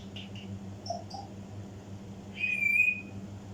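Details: African grey parrot mimicking, with a few soft short notes followed by a loud, steady, slightly wavering high whistle lasting about half a second, above a low indoor hum.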